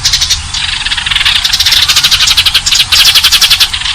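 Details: Eurasian tree sparrows giving fighting calls used for luring: continuous rapid chirping and twittering over a low background hum.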